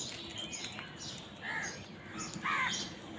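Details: Crows squabbling over food give two short, hoarse caws about a second apart, the second louder and more layered, against a noisy open-air background.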